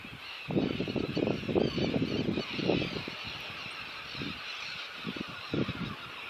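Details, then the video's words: Cormorants on Bird Island, Monte León National Park, Argentina, give low, hoarse, grunting croaks in uneven bursts, with steady surf or wind hiss behind them. "Singing cormorants"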